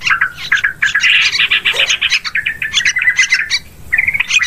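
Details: Bubbly, warbling chatter from yellow-vented bulbul, a lure recording for hunting birds in forest, rice fields and plantations: a busy rolling phrase of rapid notes, a short pause, then a brief trill.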